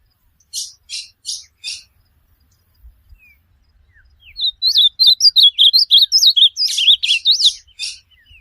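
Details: Four harsh, evenly spaced rasps, then a lively ultramarine grosbeak phrase of bouncing whistled notes rising and dipping quickly; a training recording for a pet bird.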